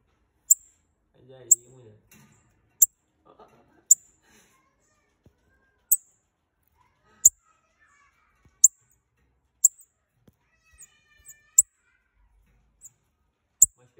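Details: A pair of bananaquits calling, played to excite another bananaquit: short, very high, sharp ticking notes repeated roughly every one to one and a half seconds, with faint low rustling early on.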